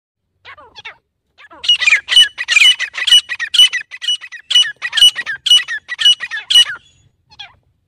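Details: Grey francolin, called teetar locally: a few soft rising clucks, then a loud, harsh, squawking phrase repeated about twice a second in a steady rhythm, fading to a final faint note. Quiet background.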